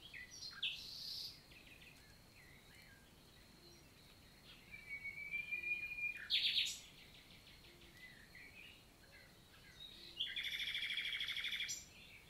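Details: Common nightingale singing on a summer morning, 11 June 2023, in countryside forest of La Vallée du Célé, Lot, southern France; a high sustained whistle, then bursts of rapid, evenly repeated notes separated by pauses, over faint background hiss.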